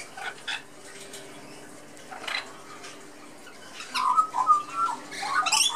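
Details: Young Australian magpie chick chatting in a back garden with lorikeets and blue-faced honeyeaters; soft scattered notes, then a short warbled run of mid-pitched tones near the end, with faint background bird chatter.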